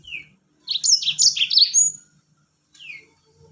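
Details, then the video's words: Yellow-fronted canary (Mozambique), a "rol tembak" master recording used as a lure to get other birds singing: a single rising whistle, then a quick jumble of sweet, high warbled notes ending in a clear thin whistle. "masteran Mozambik rol tembak bikin burung lain ikut bunyi."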